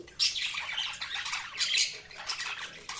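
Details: Budgies in continuous busy chatter, overlapping scratchy chirps and warbles forming a dense, unbroken twittering.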